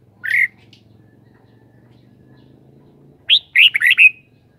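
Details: Red-whiskered bulbul giving a single clear whistled note, then after nearly three seconds a fast, bubbly phrase of several sweet warbled notes; soft low background hum throughout.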